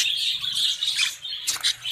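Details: Budgerigars in breeding cages, first clutch with eggs and chicks, harsh squawking and scratchy chatter overlapping from several birds, ending with a sharp burst of noise.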